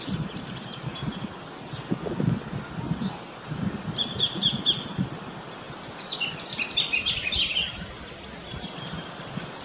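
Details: Sacred kingfisher in an Australian backyard: four crisp high notes in a tight row. A different bird then chirps a jumbled phrase, over rustling and low background noise.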